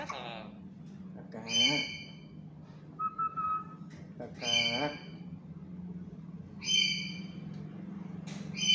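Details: Tame black-capped lory, an often-calling bird that also talks, giving loud harsh squawks with bright ringing overtones about every two to three seconds, plus one short level whistle, over a steady low hum.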